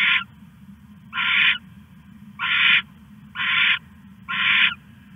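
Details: Owl, night of 21 August 2015, hiding a rat: broad, scratchy hiss-like calls of about half a second, five in a row at slightly uneven intervals, over a steady low drone.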